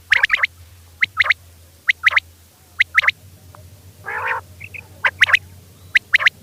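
A female common quail calls with sharp, high chirps in quick pairs and triplets, about once a second. A low hum and one brief rasping noise sit underneath.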